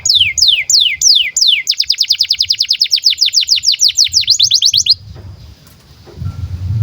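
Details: Breeding canary song meant for training young birds: a few spaced falling whistles leading into a fast rolling trill of downward sweeps, then a faint thin tone and low background noise.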